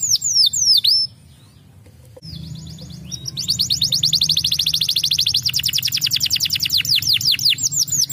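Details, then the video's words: Canary singing to stimulate other birds: a few sharp downswept notes, a brief pause with a soft tone, then a dense rapid trill of repeated bright notes building steadily to the end. "хутка стымулюе гук канарэйкі"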